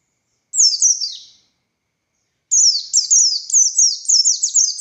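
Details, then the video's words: Oriental white-eye of the buxtoni form in ngalas style: one high descending phrase, a short silence, then a fast series of shrill, sharply falling whistled notes. "Burung Pleci Buxtoni Gacor Konslet Full Tembakan Ngalas Ngotot Fighter"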